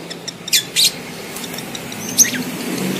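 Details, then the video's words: Mating call of a lovebird in breeding heat: two short, sharp, high squeaks in quick succession, a pause, then a single thin rising chirp over a low steady hum. "SUARA LOVEBIRD KAWIN"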